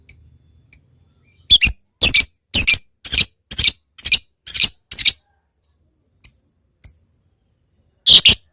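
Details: Lovebird lure call aimed at a rival, a few faint ticks then a steady series of about ten harsh, high squawks roughly half a second apart, and a final loud screech.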